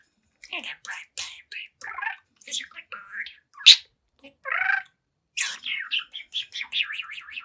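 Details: Young pet budgerigar, seven months old, talking and singing before a mirror: many short scratchy, speech-like syllables and squeaks in quick succession, with a fast run of chirps toward the end.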